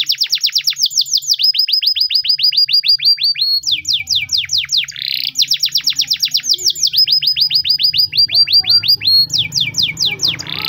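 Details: Timbrado canary, a Spanish singing breed, in training song: long series of quick high downslurred notes at changing pitches, rolling rhythmically, with a faint low hum in the background.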